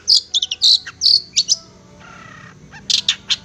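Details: Long-tailed shrike tutor recording for kept songbirds: a burst of loud, varied high chirps and trills, a short pause with soft hissing, then more clipped high notes.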